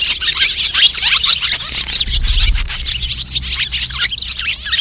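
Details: White-bellied swallows in a calling flock, used to draw birds to nets and glue traps; thick high twittering throughout, with a brief low rumble in the middle.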